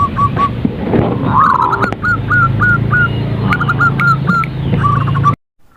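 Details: Zebra dove, calling in the morning, gives a run of short hooked cooing notes in rapid succession, pausing briefly and then resuming, over a steady low droning background and some faint music.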